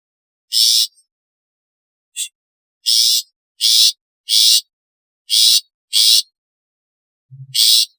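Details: Long-tailed shrike, one of its natural, calling, alarm and lure sounds. Loud grating chatters with uneven spacing: one note, a short faint one, then five harsh rasps and a final one after a gap, with a brief low hum.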